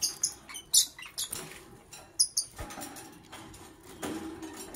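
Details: A lovebird chirps in the morning with a rapid run of sharp, high, squeaky notes at the start, more squeaky chirps a second later, then faint rustling and scattered clicks.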